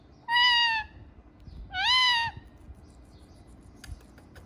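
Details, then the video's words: Pet ringneck parrot, filmed dancing and talking, utters two drawn-out, nasal, voice-like notes about a second apart, each steady and rich in overtones, then quiet room sound. "Funny Parrot Talking and Dancing"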